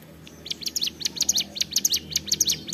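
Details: Hill prinia singing ceplekan, a quick rhythmic stream of sharp, high, doubled chirps starting after a brief quiet moment.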